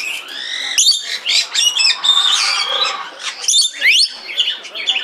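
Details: Red lory kept in Belgrade Zoo, Serbia, filmed in 2022, pours out a dense run of shrill, squealing chatter with sharp upward-sliding notes and brief screeches.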